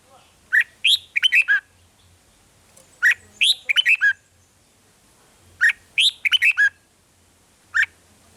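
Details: Red-whiskered bulbul in Thailand, song played to make caged birds lively: three near-identical phrases of rapid, cheerful chirped notes about every two and a half seconds, then one lone note.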